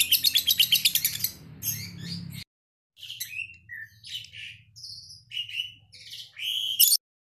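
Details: Lovebird described as ambrol and mabung konslet: a quick shrill trill for about two seconds, then after a pause a string of separate squeaky chirps and upward-sliding notes.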